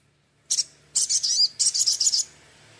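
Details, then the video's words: Sunbird song used as a master recording for training: a short high note, then two bursts of quick, thin, buzzy high-pitched chips, each around a second long. "MASTERAN INI ‼️SOGON LANGSUNG NGLEPER"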